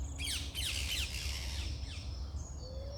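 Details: Morning birdsong with several birds: rapid downward-sweeping chirps in quick bursts, high thin whistles, and a faint low whistle near the end over steady low background rumble.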